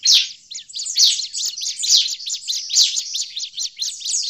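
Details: Bar-winged prinia in an agitated state, call used as a lure for prinias in forest: sharp high chirps repeated roughly once a second, each trailed by fast scolding notes.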